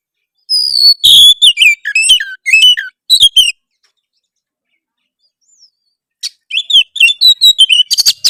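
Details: Two bursts of Oriental magpie-robin song, harsh in style to provoke rivals. Quick varied whistled notes, many falling in pitch, for about three seconds, then a pause and a second choppier bout ending in rapid scratchy notes.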